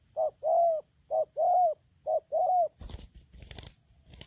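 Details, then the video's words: Spotted dove (tekukur) from Lampung during a bird-luring session, singing in the 'tarik akar selang nguku' style: three pairs of mellow mid-pitched coos, each a short note then a longer drawn note, followed by clattering and rustling noise. "suara tarik akar selang nguku"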